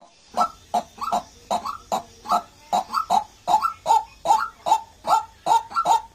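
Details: White-breasted waterhen giving a steady run of harsh, croaking notes, roughly fifteen in six seconds, each with a hooked rising start, some in quick pairs; a faint low hum underneath.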